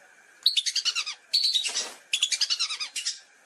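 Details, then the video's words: Lesser whistling duck calling, recorded as a hunting lure sound: three quick runs of high, chattering whistles, notes tumbling at a fast even pace, with a brief harsher rush between the first two runs and a faint steady hum behind. "Suara Pikat Burung Belibis"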